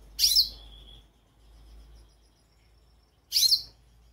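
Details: Goldfinch call: two bright, high, slightly buzzy chirps about three seconds apart. The first trails into a thin whistled tail.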